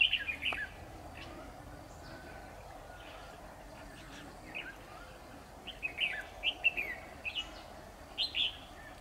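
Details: Decoy red-whiskered bulbul at a trapping session on 10 October 2019, singing competitively: bright warbling phrases, a burst at the start, then a run of quick repeated motifs after a pause, over a steady background hiss.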